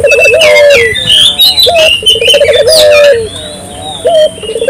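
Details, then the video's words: Spotted dove cooing, with stuttered and long level low notes, while other small birds chirp and whistle busily at higher pitch across the recording. "suara burung puter gacor,merangsang burung puter lokal ikut gacor"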